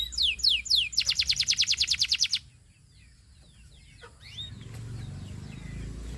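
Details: Canary song opening with a few swooping whistles and a rapid pulsed trill, then dropping to faint scattered notes over a low background hum.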